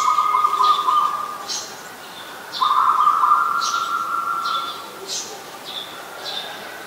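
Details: Adult zebra dove in Ubon Ratchathani, Thailand, recorded 28 December 2020. It gives long, even, rattling trilled coos that hold at a steady mid pitch, in two bouts. Other birds add short, high chirps throughout.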